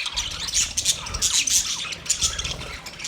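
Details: Budgies chatter continuously, shrill squawky chirps and rapid warbled notes layered over one another.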